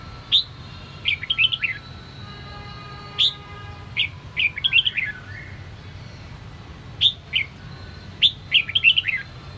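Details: Sông Kon style song of a caged red-whiskered bulbul, used for voice training: bright clipped phrases open with a high upward note, then a fast chain of descending chirps, several phrases separated by short pauses.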